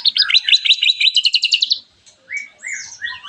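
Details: White-rumped shama in full song, used as a lure to make other shamas sing: a fast, buzzy, high trill of evenly repeated notes, then short separate whistled phrases that rise and fall.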